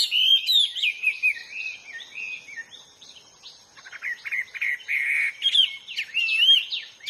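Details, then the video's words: Hwamei singing in the wild: a varied sequence of warbling whistles, slurred downward notes and buzzy chattering bursts, with short pauses between phrases and a faint steady high hiss behind. "burung HWAMEY GACOR DI ALAM LIAR"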